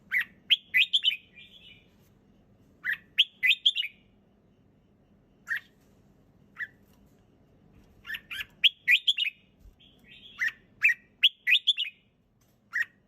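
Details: Red-whiskered bulbul singing relaxed, clear song: short bright warbled phrases of three to five quick chirping notes, given in bursts with pauses of one to two seconds, over a faint low background hum.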